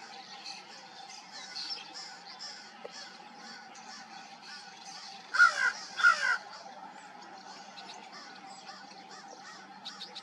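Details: Crows at dawn with a quiet background of distant calls; two loud, rasping caws in the middle, each a short double burst, with faint chatter before and after.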